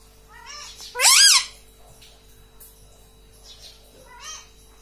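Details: Pet rose-ringed parakeet, a talkative bird said to say "mummy": short rising-falling voiced syllables, one loud drawn-out squawky phrase near the start, then softer repeated bits, with a steady indoor hum.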